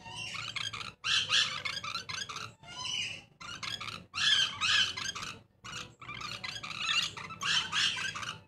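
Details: A pair of Taliabo lories gives harsh, grating screeches in rapid bursts of about a second, broken by short pauses, calling almost continuously.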